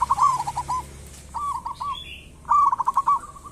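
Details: Zebra dove of local stock singing actively, used as a lure to make other doves sing: three soft coo phrases, the first and last with fast trilled stutters, and a faint high whistle between them.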